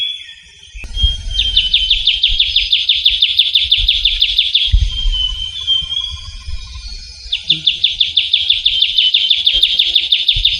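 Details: Trilling shrike-babbler (ciu kunyit) in Javan forest: a fast trill of rapid repeated high notes lasting about three seconds, a drawn-out thin whistle, then another long trill; low rumbling noise in the background.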